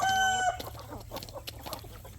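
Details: Chickens and roosters at evening feeding time on a poultry farm: a long, steady, harmonic squawk opens, then broken low clucking and scattered pecking sounds.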